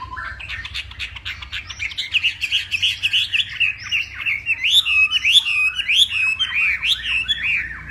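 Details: Northwest Vietnamese Hwamei giving morning contest song: a long, rich stream of varied whistles, rising and falling slurs and fast repeated notes, growing louder and more elaborate toward the end.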